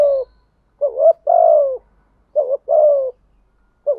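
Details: Spotted dove calls, male and female, for luring and training: soft coo phrases, each a brief double note then a sustained descending coo, heard about three times with short pauses; clean background.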